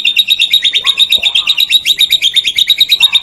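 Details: White-rumped shama song used as a master recording for training songbirds: a loud, fast, buzzy trill of rapidly repeated high notes. A brief lower warble appears beneath it.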